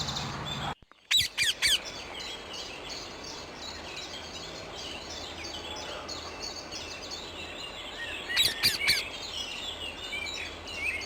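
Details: Wild rose-ringed parakeet in Amsterdam, the Netherlands, with two bursts of three to four harsh, piercing squawks, one early and one late, between which a busy chorus of other small birds chirps steadily.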